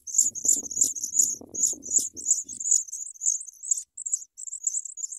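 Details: Sprague's pipit babies calling for food as a parent delivers big worms, with loud, shrill, rapidly repeated high squeaks, some harsher and buzzier, over soft rustling in the first half.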